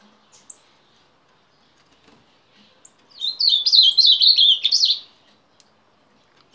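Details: A reina mora × azulito hybrid bunting, said to be singing like a reina mora, gives one fast, high, jumbled warble of twittering notes lasting about two seconds; the rest is near silence.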